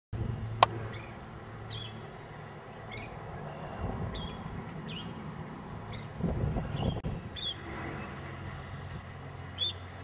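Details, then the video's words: Northern shrike (Lanius excubitor) giving short, thin, slightly harsh call notes about once a second, faint over a steady low rumble of wind or distant traffic. "Northern Shrike - Calls"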